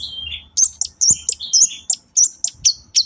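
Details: Long-tailed shrike lure recording for encouraging shrikes to sing: two descending whistles, then a steady run of thin high sharp notes about every quarter second, a few soft clicks behind.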